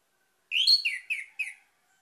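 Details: Phrase from an orange-headed thrush, played as a lure to start other birds singing: four ringing whistles delivered in about one second, the opening note swelling upward and the others dropping in pitch.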